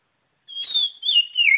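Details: White-rumped shama giving a single loud, continuous whistled phrase that starts high and clear and slides down through rolling, fluty notes.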